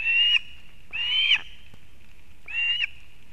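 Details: Osprey, the mother bringing fish to her chick at a nest in Kurzeme, Latvia, 31 August 2024: three drawn-out, slightly rising whistled calls with gaps of about a second between them.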